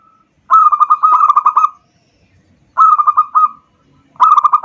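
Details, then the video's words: Local zebra dove (perkutut lokal) song used as a lure to stimulate other doves: three bursts of rolling, mellow cooing, each a quick pulsed trill followed by a few rounder notes, separated by short silences. "pancingan perkutut lokal"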